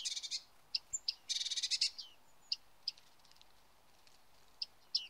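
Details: Bearded reedling in reeds: two buzzy rattling bursts early, then sparse short pinging calls spaced one to two seconds apart, with a steady hiss of background noise.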